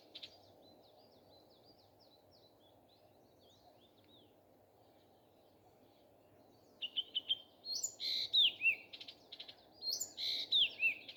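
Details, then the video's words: Common nightingale in morning song; faint distant twittering at first, then loud close phrases of rapid rattling notes and sharp downward whistles in the second half. "Nightingale singing. Утренее Пение Соловья."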